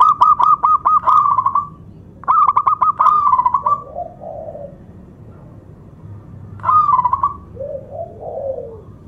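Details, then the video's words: Powerful singing of a local zebra dove, meant to lure rival doves and get quiet birds singing: rapid clipped coo notes run into a trill, repeated twice, followed by soft low coos and another trilling phrase. "SUARA PERKUTUT LOKAL ( PEMIKAT AMPUH PERKUTUT MACET BUNYI )"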